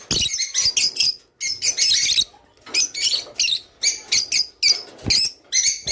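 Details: Java sparrow singing, a song offered to stimulate mating in kept birds: steady runs of sharp, bell-like clicking notes in rapid groups, about nine bursts with short gaps between.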